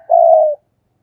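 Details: Kept decoy spotted dove calling in the gáy gọi style: a single low, smooth, sustained coo of about half a second with a slight drop at the end, clean with no background sound.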